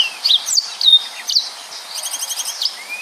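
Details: High sharp chirps and short whistled slurs from a yellow-fronted canary in 'gacor' song, followed by an evenly pulsed buzzy trill and a final rising whistle.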